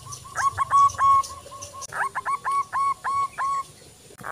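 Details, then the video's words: Local zebra dove, a lively singer used for daily training of other doves: two phrases of hooked cooing notes at a steady pitch over a hissy, noisy background. "Perkutut lokal gacor cocok untuk latihan setiap hari"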